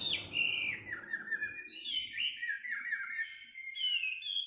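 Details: Night-time bird song of warbled, slurred whistles, wavering up and down in a continuous flowing phrase, with a faint low rumble and a rhythmic high insect pulse behind.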